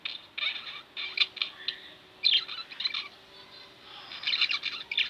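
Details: Softer, scratchy twittering and chirping from two pet budgerigars at home, coming in loose bursts with quieter stretches between.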